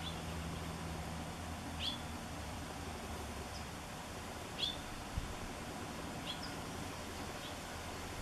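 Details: Hooded Oriole calling while preening in a Washingtonia robusta palm in Bonsall: short, sharp, upslurred whistled notes, spaced irregularly, four across the stretch, over a steady low hum and faint background noise.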